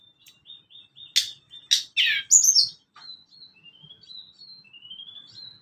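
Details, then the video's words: Sunda Robin song for training caged birds: a run of soft repeated thin whistles, three loud sharp buzzy notes, then gently rising whistled slurs. "Tledekan gunung cocok buat pancingan burung bahan / burung dewasa"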